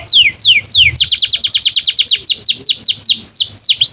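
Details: Canary song for tutoring young canaries and birds that have stopped singing: a few slow descending whistled sweeps, then a rapid rolling trill of falling notes, bright and high.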